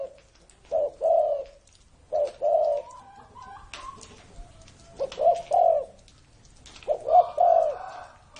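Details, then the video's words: Spotted dove over 30 years old cooing in spaced, mellow low phrases separated by pauses, with some faint higher chirps from other birds in between. "CU GÁY CỤ hơn 30 năm tuổi !"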